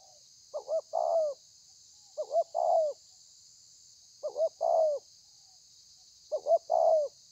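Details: Caged spotted dove singing the thổ pha cooing style, recorded 30/11/2020: four matching phrases about two seconds apart, each a short double hoot and then a drawn-out descending coo, with constant high-pitched hiss behind.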